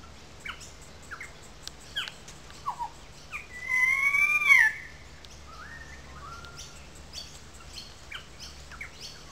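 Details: Currawong calling loudly in a small gully above the wetlands at Sydney Park, St Peters, Sydney: a ringing, wavering whistle that rises and falls, then brief clear whistled notes, with other birds chirping behind.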